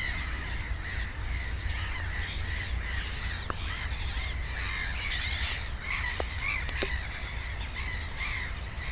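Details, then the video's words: Near a black-headed gull nest with two chicks, 15 May 2016, many gulls give grating, slightly wavering cries. A louder drawn-out call stands out around the middle, over low rumble and a few clicks. "Озерная чайка"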